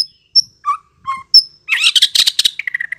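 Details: White-rumped shama song played as a lure for a quick response: sharp high whistled pips and low clear notes, then a burst of dense buzzy chatter ending in a level whistle.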